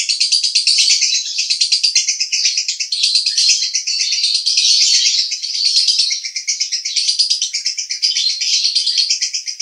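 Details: Unbroken konslet roda gila song of a male lovebird in Cibinong, Bogor: a continuous, loud, high buzzy trill of rapid pulses that swells and dips slightly in loudness throughout.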